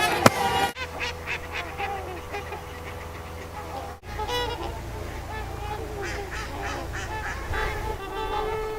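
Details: Trumpeter Swans in a winter gathering on the Mississippi River, Minnesota, in mid-January at zero degrees, on water kept open by a nuclear plant upstream. A chorus of nasal, overlapping honks, with a person speaking briefly and low rumbling in the background.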